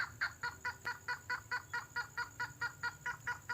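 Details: Red-headed lovebird lure call from a natural recording, used to draw birds in: a steady series of short harsh notes repeated a little more than twice per second, evenly spaced, over a faint low background rumble.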